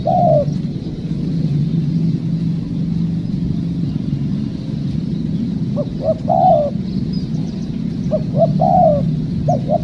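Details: Spotted dove, wild, calling during trapping: one descending coo at the start, then after a pause two more phrases of short notes and long falling coos, with rumbling vehicle-like noise underneath.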